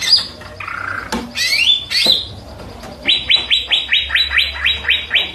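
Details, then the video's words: Greater green leafbird, the cucak ijo, giving buzzy slurred notes and two upward-sweeping whistles, then a steady series of about a dozen crisp downslurred notes, roughly three per second. "Dijamin Cucak ijo anda pasti ikut bunyi"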